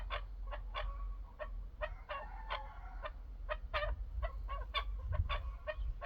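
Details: Chukar partridge uttering repeated clipped clucks, with a brief, more drawn-out nasal phrase near the start and low-frequency background rumble throughout.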